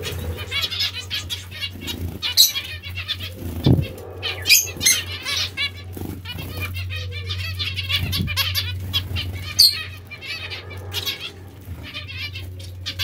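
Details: Several zebra finches calling during bath time: a continuous stream of short, nasal, stacked chirps from many birds, broken by wing flaps and splashes, over a constant low hum.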